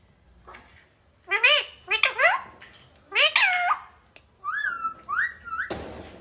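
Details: Pet talking parrot in a room uttering a string of nasal, speech-like phrases with bending harmonics, then short rising whistled notes, ending in a noisy burst.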